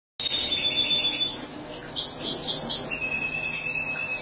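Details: European goldfinch, a major-type bird, singing a lively high twittering song: quick tinkling notes and short rising chirps, with a sustained thin whistled tone running underneath.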